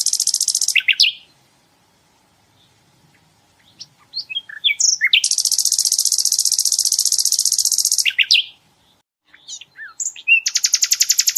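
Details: Sikatan londo flycatcher singing 'tembakan' bursts used to train other songbirds: long, very high, fast rattling trills broken by scattered quick chirps and slurred whistles, ending in another rapid repeated-note run.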